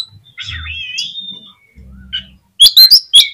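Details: Oriental magpie-robin singing to provoke rival magpie-robins: a long wavering whistled phrase, then a faint low hum, then a run of loud, sharp, piercing notes near the end.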